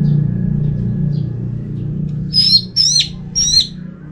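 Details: Orange-headed thrush from North Bali, used to make other thrushes sing: three high, sharply slurred whistles about half a second apart after quiet hum and faint chirps.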